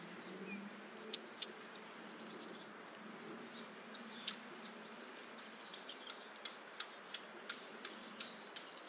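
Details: Long-tailed tit uttering piercing, thin, high notes in short rattling runs, irregular at first, then louder clustered bursts near the end, with scattered clicks and a faint low hum.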